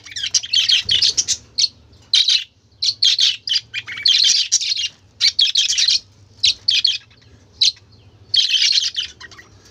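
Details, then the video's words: Budgerigars in a noisy chatter of colourful birds: dense bursts of high, scratchy warbling and chirps, coming in rapid clusters separated by short pauses, with a faint low hum underneath. "বাজিগর পাখির ডাক"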